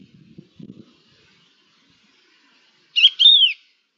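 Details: Crested lark, recorded 11 October 2021 in an exchange of calls between larks: one loud clear whistled call, rising then sliding downward, about half a second long, preceded by a few soft low thumps.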